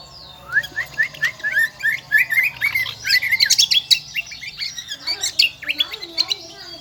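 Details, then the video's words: Lombok kombo, endemic to Lombok island, in loud shrill song: a long run of fast chirping and whistled notes, rising and falling, densely repeated, with a faint low hum beneath. "burung kecial kombo gacoorrr melengking"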